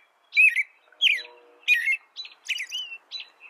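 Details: Clear warbled phrases from an American robin, about five in quick succession, each a slurred downward-bending whistle with a thin high tail, over a faint low hum.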